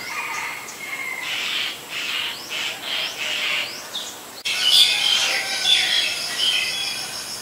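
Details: Black-collared starling in Ubon Ratchathani, Thailand, 10 February 2023: rough, broad chattering notes in quick succession, then a run of sharp, high whistled notes, with a steady insect hum behind.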